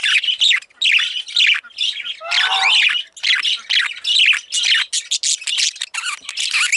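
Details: Female budgerigar, a pet parakeet, chattering almost without pause: dense, buzzy, scratchy warbles broken by short gaps, with one harsher squawk in the middle.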